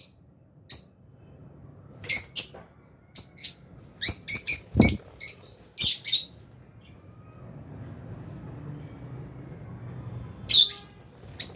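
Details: Albino and Fisher's lovebirds in an aviary, eating food, give sharp, high chirps in clusters, with pauses of several seconds between groups and faint background rustling and low hum.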